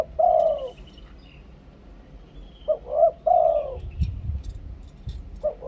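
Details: Spotted dove in Thailand singing a two-kuk ku-ang decoy song: soft, hollow cooing phrases, a short lead note then a drawn-out warbled coo, delivered in quick succession with faint rustling behind.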